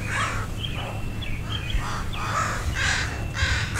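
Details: Crows scolding a dog near two young crows learning to fly. A few short harsh caws and higher squeaky notes, spaced unevenly, over a steady low hum.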